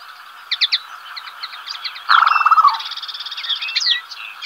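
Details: Black-bellied sandgrouse pair on waste ground at El Lote, south of Villarrubia de los Ojos, western Llanura Manchega, Spain, early July: a rolling, burry churr bursts out midway, over thin chirps and twitters from other small birds.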